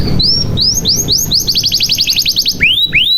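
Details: Short burst of canary song from a lure recording for making quiet young canaries sing: rising whistled upslurs, then a tight rapid trill of bright notes, closing with two long swooping whistles.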